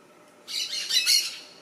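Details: Loud, grating squawks run together in a short scratchy chatter, from an orange-chinned parakeet eating bright red fruits in a Panamanian tree, Soberania National Park, late November 2014. The forest behind is otherwise quiet.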